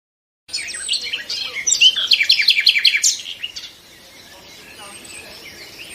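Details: Common nightingale (Luscinia megarhynchos) song: a rich, high phrase speeding into a rapid, pulsing run of repeated notes, then fading, followed by faint background birdsong.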